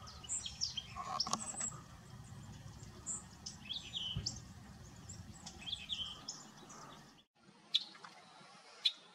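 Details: Green jay, a year-round resident of the south Texas brush country. Short harsh bursts mixed into a busy chorus of high chirps from other birds over a low rumble, ending with two sharp notes.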